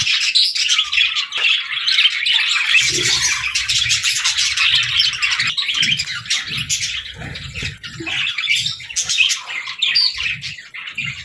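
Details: Evening chatter from playful pet parakeets: an unbroken stream of buzzy, twittering warbles runs throughout, with soft low taps and fluttering sounds beneath.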